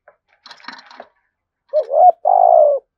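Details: Spotted dove, thổ sấm voice. A brief burst of scratchy rustling noise comes first, then one clear phrase: a rising wavering note followed by a long, low, steady coo.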